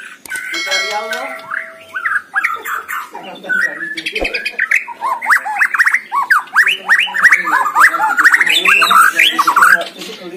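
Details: Contest white-rumped shama in full song. A few high sustained tones open the clip, then a rapid, almost unbroken run of varied slurred whistles, rising and falling notes jumbled together, grows steadily louder toward the end.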